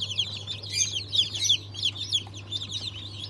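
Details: High, shrill cheeps from a group of newly hatched Sultan, Fizan and İspenç chicks, hatched 22.02.23, come rapidly and irregularly, about three per second, over a constant low hum.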